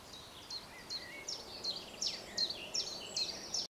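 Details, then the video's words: A thrush nightingale sings a rapid series of sharp, high, clicking and whistled notes, about three per second, over a soft background hiss; recorded at Arnhem, Netherlands, on 16 May 2010. "Noordse Nachtegaal (Trush Nightingale, Lusciana lusciana)"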